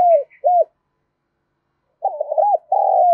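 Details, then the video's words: Spotted dove cooing to provoke a fight: the tail of one phrase with a hooked note, a silent pause, then a wavering warbled coo and a long steady descending coo. "Tiếng chim cu gáy thúc đấu kích bổi nghe rất nhanh về cội"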